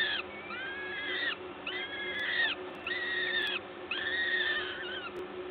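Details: Feeding at a peregrine falcon nest in Gdańsk, 14 May 2022, 11:07: a regular run of four loud, harmonic, slightly descending wails, each about a second long, spaced by brief pauses.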